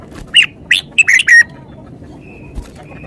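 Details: Red-whiskered bulbul delivering a lively run of five clear, slurred whistles that dip and rise, followed by faint thin whistles from other birds in the distance.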